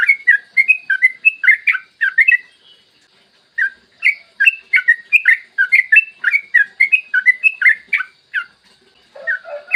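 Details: Yellow-vented bulbul singing nonstop in long 'ropel' bursts, meant to stimulate other bulbuls to sing: two fast runs of bubbly warbled notes separated by a short silence, ending with a few lower notes.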